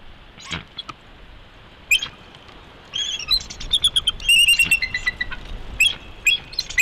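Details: Bald eagle pair in the morning at a wild nest in Big Bear Valley, picked up by a live nest camera: after faint noise, high, thin chittering calls break out in quick runs over a steady background hiss.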